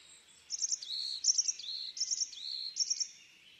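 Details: High tit song: repeated groups of short sharp notes each followed by a lower slurred whistle, about four phrases over a faint hiss.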